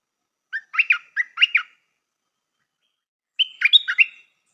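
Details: Stripe-throated bulbul used as a lure bird gives two short warbled bursts: a choppy run of quick notes, a pause of nearly two seconds, then a tighter, higher jumble of notes. No other sound is heard.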